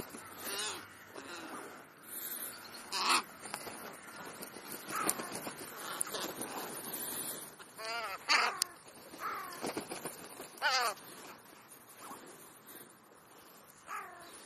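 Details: Feeding crows give a run of harsh, hoarse calls, some rough and noisy, others with wavering, ringing overtones, spaced irregularly every few seconds against constant outdoor hiss.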